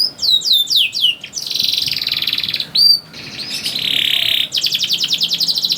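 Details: Canary song used to stimulate young canaries to sing: descending whistled sweeps, a dense buzzy trill, a pause, a sustained buzzy tone, then a fast pulsing trill.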